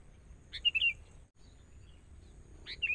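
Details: Forest sooty-headed bulbul under training with a decoy: a lively cluster of three quick chirps sliding downward, then another chirp after a short pause, recorded outdoors with a soft low murmur beneath.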